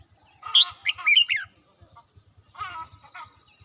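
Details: Red-whiskered bulbul kept at home, singing in the morning: a short run of bright, warbled whistled phrases, then a quieter answering burst, over a soft regular ticking.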